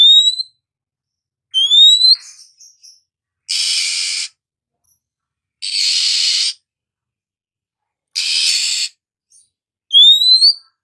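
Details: Morning Oriental magpie-robin alternating bright upward-sweeping whistles with three long, harsh, scratchy rasps spaced about two seconds apart.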